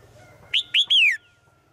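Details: Female bird calling a male in the forest: three strong whistled notes, each rising then falling, the third drawn out and sliding down, with a faint steady tone behind.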